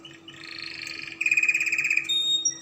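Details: Spanish Timbrado canary in song, offered as learning material for young canaries; a soft rolling trill builds into a loud metallic pulsed rattle, followed by high clear whistled notes.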